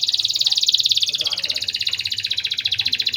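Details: Young canary song used as a lure to stir breeding drive: a fast, continuous high rolling trill repeated about three times a second, with faint low background hum.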